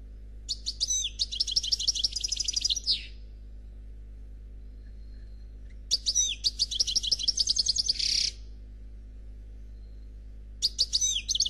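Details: Flawless song of a Noir Khalwi goldfinch: three long outbursts of rapid, high, metallic twitters and buzzy trills, each about two to three seconds long and separated by roughly three-second pauses. A soft low hum runs underneath.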